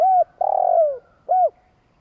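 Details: Spotted dove giving a long coo used to excite decoy doves: a short arched coo, then a drawn-out steady coo that slurs downward at its end, then another short arched coo, all mellow and low.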